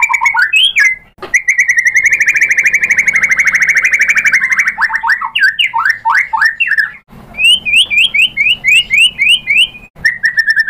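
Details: Lure from a white-rumped shama aimed at provoking a rival: a long steady buzzing trill, then swooping warbled notes and a series of repeated upslurred whistles, ending on another short trill.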